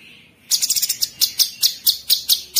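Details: Sooty-headed bulbul (cucak cungkok) in 'tembakan kristal' style: a brief rattling flurry of high, crisp notes followed by about eight separate sharp chips at steady spacing.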